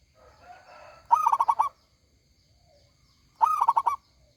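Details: Local zebra dove singing loudly with a big voice: a soft murmur, then a rolling cooed phrase of about five quick pulsing notes, repeated once after a two-second pause.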